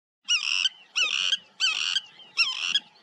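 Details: River tern in India giving four harsh, grating calls, each about half a second long, repeated every two-thirds of a second; nothing else is heard.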